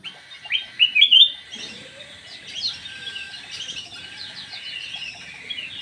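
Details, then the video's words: Black-naped oriole lure call: a few clear, bright whistled notes rising and falling near one second, then a busy stream of high chattering chirps from other birds in the background. "SUARA PANCINGAN KUTILANG EMAS ISTIMEWAH"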